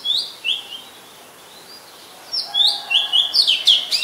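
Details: Oriental magpie-robin song from Ubon Ratchathani, Thailand, 2 July 2022, Nikon P1000: short high whistled slurs, a pause, then a rapid tumbling burst of sweet, varied notes.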